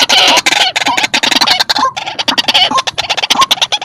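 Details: White-breasted waterhen calling vigorously in a recording meant as a bird-catching lure: dense, harsh, rapidly repeated croaking notes that overlap into a continuous raucous chatter.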